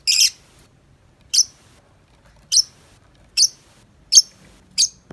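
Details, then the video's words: Tame pet lovebird out of its cage in 'ngetik' chattering mode, here uttering single shrill, rasping chirps spaced roughly a second apart, six in all, against near silence. "Lovebird Jinak Ngetik Panjang Nonstop 10 menit di luar Kandang"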